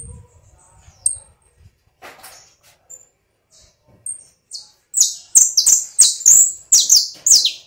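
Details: A domestic canary, called canário do reino, starts with scattered thin whistles and short notes, then breaks into a loud, rapid series of high chopped syllables repeated in quick succession for the last few seconds.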